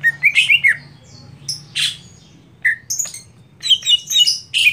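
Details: Greater green leafbird, a competition bird, giving scattered bursts of squeaky whistled notes and chatter separated by short pauses, over a faint low hum.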